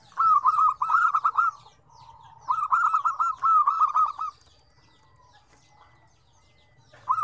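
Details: Zebra dove song in lively phrases of varied tone: rolling, bubbly coos in quick trilled bursts, two long runs with a short low hum between, then a fresh phrase starting at the end; faint low rumble beneath.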